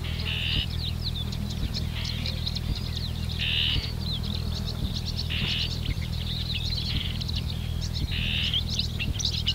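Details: Marsh warbler song at Lippetal, Germany, recorded 3 June 2021 mid-morning with a Canon EOS R5: lively, scratchy high phrases alternating with harsh buzzy bursts every second or two, over a steady low drone.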